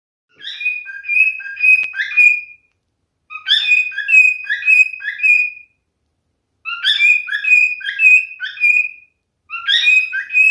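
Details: Male cockatiel singing: bursts of clear whistled notes, each phrase about two seconds, sliding up and down with a warbling, chirpy texture, separated by short silences. Four phrases in all, with no other sounds.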